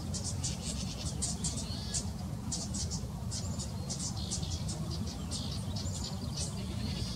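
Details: Fledgling house wren, left behind while its mother and siblings fed in ground cover, waiting to be fed; rapid runs of high, hissy begging bursts repeat through the recording over a steady low rumble.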